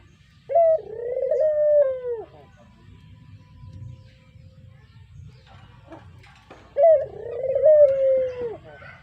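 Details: Brown Barbary dove, a pet bird whose voice serves as a lure: two well-spaced coos, each a crisp upward flick into a long throaty hum that tails off, separated by several seconds of quiet hum.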